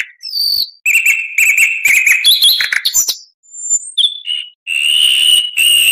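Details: Varied oriental magpie-robin song, recorded as tutoring material for other songbirds: strong steady whistles broken by quick chattering bursts and short high notes, with pauses between phrases and one long clear whistle near the end.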